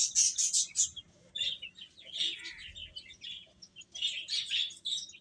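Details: Chicks cheeping as they feed, a busy chorus of shrill short peeps in uneven bursts, loudest at the start, with soft background rustle.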